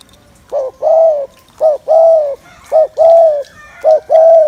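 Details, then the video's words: Spotted dove cooing, used to excite male doves so they fire up fast during trapping; four low mellow phrases, each a short note then a longer level coo, repeated about every second. "Tiếng Chim Cu Gáy Gù Kích Bổi Mau Lên Lửa"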